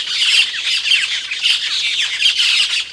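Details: Indonesian Asian glossy starling, or cucak keling, with its loud, sharp call. Steady stream of high, harsh, squeaky notes run together into an unbroken chatter of even loudness.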